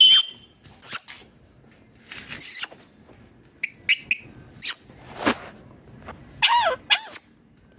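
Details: Ringneck parrot making scattered short, shrill squawks and clicks over about eight seconds, bursts of varying strength, one longer rising-falling screech near the end, low background hiss.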